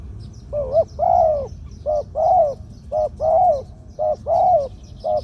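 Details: Zebra dove singing the '2 kuk khu-ang' pattern in a middle-pitched voice, kept as a promising decoy bird: brief clipped notes each followed by a drawn-out arched coo, cycling steadily about once a second.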